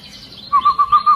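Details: Short sequence from an agitated long-tailed white-rumped shama: a soft, high note, then five clear, evenly spaced whistled notes on one pitch in quick succession.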